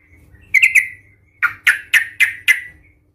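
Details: Brief excerpt of a yellow-vented bulbul's raging fighting song, used to provoke other bulbuls: a quick tumbling triple chirp followed by five harsh, evenly spaced, slightly descending notes.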